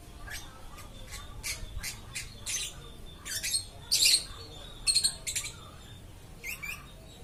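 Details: Endless lovebird chirping: a busy stream of thin ticks and harsh, buzzy squawks, with louder grating bursts in the middle and a faint hum behind.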